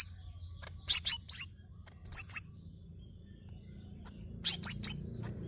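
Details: Greater green leafbird giving three short bursts of very high, sharp whistled chirps, two or three notes each, separated by pauses of about a second, over faint low background hum.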